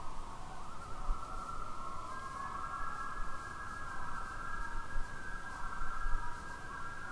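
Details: Common loon on an Adirondack lake giving a tremolo: a sustained, quavering call at a steady mid pitch for about seven seconds, over a constant low rumble of wind or water.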